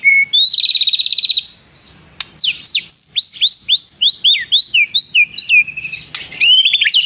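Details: White-rumped shama singing with prenjak mimicry and long trills. A fast buzzy trill opens, followed by a string of sharp downward-slurred whistles in quick succession, then more varied chirps.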